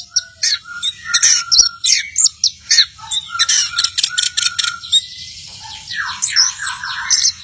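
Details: Orange-headed thrush in full song, pouring out rapid high chirps and trills in dense bursts, then a stretch of sweeping slurred notes near the end, almost continuous with brief pauses.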